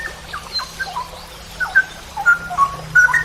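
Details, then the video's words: Straw-headed bulbul (cucak rowo) in a masteran training recording for songbird hobbyists, in the long-trill ropel panjang style: scattered clear whistled notes, some slurred upward or downward, growing louder and more frequent toward the end over a quiet background. "MASTERAN cucak rowo Berkelas||ROPEL PANJANG"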